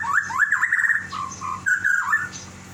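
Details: Caged lovebird calling to its companion that has left the cage: loud, shrill, rapidly warbling squeaks and chatters, rising and falling notes strung together in quick bursts with brief pauses.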